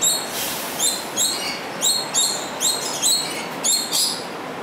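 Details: Coconut lorikeet, an introduced species now breeding in Singapore; loud, arresting screechy calls, harsh and high, in a series of about eight short bursts over four and a half seconds with steady background hum.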